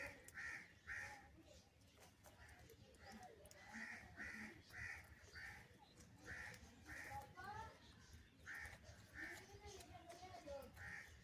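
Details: Feeding crows calling for food, many hoarse caws in irregular clusters throughout, with a few softer gurgling notes in between and constant low background noise.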